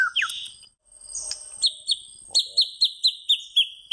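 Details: White-rumped shama singing: short whistled slurs at first, then a run of about eight bright, evenly spaced high notes, each a quick downward flick, repeated roughly every quarter second.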